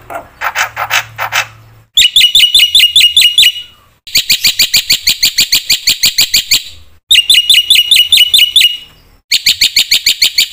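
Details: A black-winged myna sings in full, varied form to provoke other mynas: a buzzy opening phrase, then repeated bursts of rapid, loud chattering notes separated by short pauses.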